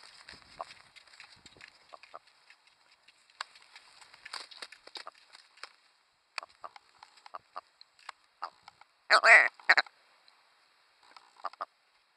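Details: Willow ptarmigan in winter plumage foraging and climbing in willows on the tundra in Manitoba give scattered soft, guttural clucks and ticks, then a loud raspy double croak near the end, over a steady faint hiss.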